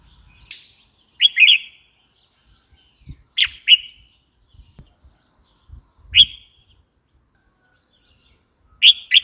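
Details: Red-whiskered bulbul repeating brief bright, chirpy phrases of two or three quick notes, four times with pauses of about two seconds, in an otherwise quiet setting.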